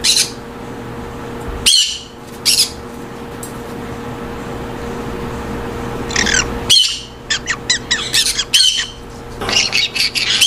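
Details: Monk parakeets housed in aviaries for group breeding utter harsh screeches, then a fast series of short scratchy chatter notes mixed with further squawks, several birds calling.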